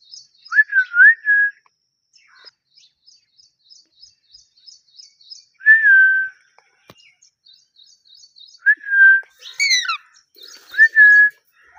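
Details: Pet parrot whistling: clear mid-pitched whistled notes with a quick rising then falling inflection, repeated at irregular intervals every few seconds, with faint soft ticking sounds in between.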